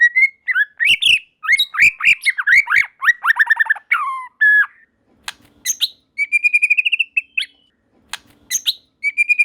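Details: White-rumped shama singing as other shamas chime in; dense rapid phrases of varied chirps and trills, then pauses, a sharp click and long wavering whistled trills.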